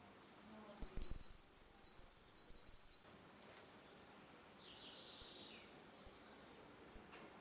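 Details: Saffron finch giving a ringing song in a dispute, meant for teaching young birds: a long, dense rattle of high descending notes for about three seconds, then quiet pauses with thin chips and one fainter phrase.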